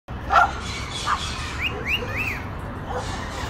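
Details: Wild lorikeets in Nanango town, South Burnett, give a few short, shrill squeaks, then a quick run of arched, chirping notes over a steady background hiss.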